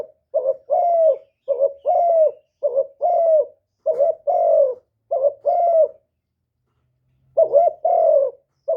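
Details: Decoy spotted dove calling in the '1 hậu' style meant to provoke wild doves: soft low two-part coos, a brief lead note then a drawn-out slurred one, repeated in a run before a pause and a final phrase.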